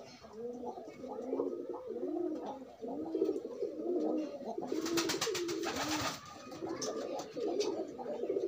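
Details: Free pigeons in courtship, pairing: a steady series of bowing, rolling coos roughly once a second, interrupted midway by a loud flurry of wing flapping.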